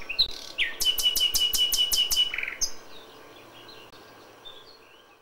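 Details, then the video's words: Nightingale in full May dawn song: a rising whistle, then about seven loud, evenly spaced percussive notes, closing with a drop into a lower note and faint distant warbling afterward. "A FÜLEMÜLE ÉNEKE."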